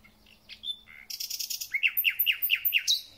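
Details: Thrush nightingale in early spring: a few varied notes, then a loud rapid series of sharp chipping strokes repeated about eight times a second.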